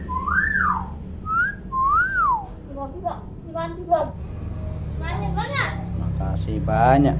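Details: A tame common hill myna known for talking and copying all kinds of sounds gives three arched whistles rising then dropping, followed by short harsh voice-like syllables and bursts over a steady low hum.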